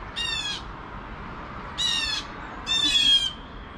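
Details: Blue jays calling in alarm at 7 AM, three harsh screechy squawks spaced irregularly, the last one louder and trailing into a thin tone, over quiet background.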